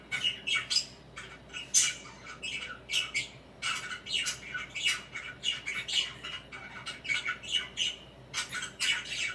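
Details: Swinging and preening, a caged pet budgerigar keeps up rapid scratchy chirping in clustered bursts, harsh squawky notes broken by short pauses, indoors.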